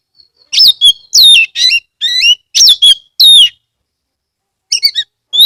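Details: Lure song of an Oriental magpie-robin in Kebumen, Central Java, used to make other magpie-robins sing along. A rapid run of six or seven bright whistled notes, some falling steeply, is followed by a short silence and two further phrases.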